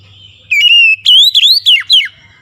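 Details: Piercing whistled phrase from a bird: a steady held note, then several upward-sweeping whistles, each ending in a quick downward slide.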